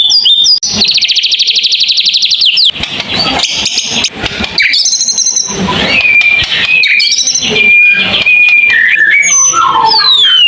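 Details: White-rumped shama delivering a long tembakan: it opens with a fast high buzzing trill, then scratchy notes and clear level whistles, ending in rising and falling slurred phrases.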